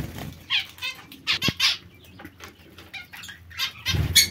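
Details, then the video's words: Zebra finches giving short, nasal, harmonic-rich calls in quick clusters of two or three notes, separated by brief pauses, over low thumps and rustling. "Il diamante mandarino o bengalini"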